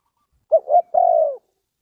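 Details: Spotted dove (cu gáy) lure call from Ninh Thuận, Vietnam. A single phrase with a brief clipped note, a rising middle note and a drawn-out soft descending coo, with no other sounds.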